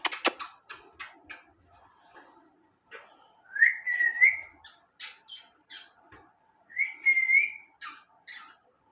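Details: Ringneck parrot makes short harsh squawks and clicks, then two drawn-out wavering whistles with chatter between them, while people speak softly in a small room.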